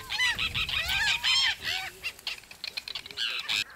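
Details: Forster's terns, probably juveniles, at Cape May, New Jersey, giving harsh, nasal, grating calls in quick succession, about three a second, some overlapping as if from more than one bird.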